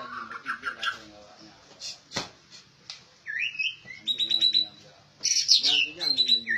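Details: Well-trained captive white-rumped shama, described as rare, singing clear whistled phrases, some rising slurs and some steady high notes, delivered in short bursts; a man's voice talks softly underneath during the first half.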